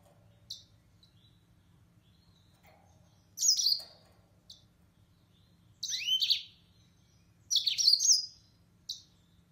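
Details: Yellow-fronted canary, or Mozambique serin, uttering spaced phrases of high, rapid twittering notes a couple of seconds apart, interspersed with single short chirps.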